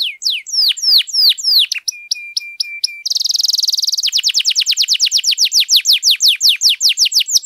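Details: Domestic canary in long, continuous chattering song used to stir silent canaries into singing: downward-sweeping whistled notes, a flat steady tone, a buzzy burst, then a fast even trill of repeated rising-falling chirps.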